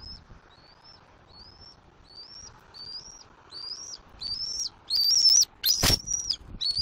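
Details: Juvenile bald eagle at a Southwest Florida nest, April 2024, squeeing non stop as its father delivers a whole fish it flies in to claim; about ten thin rising whistles, quickening and growing louder, with a wing thump near the end.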